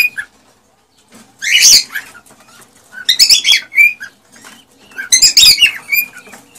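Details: Excited male cockatiel singing to encourage the female to mate and breed; three loud bursts of harsh squawking chatter about two seconds apart, each followed by a brief whistled note.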